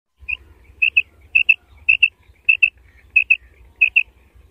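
A female quail gives high, thin paired notes, a quick double 'queep-queep' about every half-second, over a low steady rumble.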